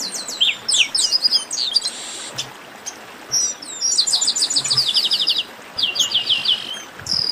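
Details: Chestnut-capped blackbird in a rowdy chorus known as baderna: bursts of high, sharp whistled notes and fast descending trills, with short pauses between bursts and several phrases overlapping.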